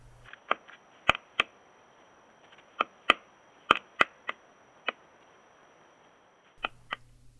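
A Pileated Woodpecker striking wood: about a dozen loud, sharp knocks at uneven intervals, some in quick pairs. A faint low hum is heard at the start and end.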